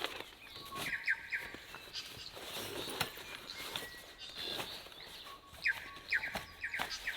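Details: New Zealand Bellbirds, many of them, singing in a rainforest in New Zealand, competing with tuis; short bright descending whistled notes in small bursts near the start and again near the end, over soft background noise.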